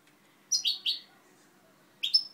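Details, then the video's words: Goldfinch hybrid (mixto), recorded 2011: a few short sharp high chirps, a cluster of three then a pair after a pause, in a quiet room. "mixto jilguero"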